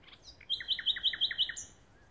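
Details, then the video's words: Nightingale singing at Pulborough Brooks RSPB: a few soft lead-in notes, then a loud run of about seven identical sharp, ringing notes repeated rapidly, ending on a high drawn-out whistle. "nightingale song"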